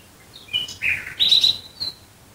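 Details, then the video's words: Nightingale singing at night near Dresden, Germany: a short phrase of clear whistled notes, sliding and varied in pitch, with a bright high sustained note near the middle, over a quiet background. "Nachtigall Gesang Geräusch. Singing Nightingale Sound."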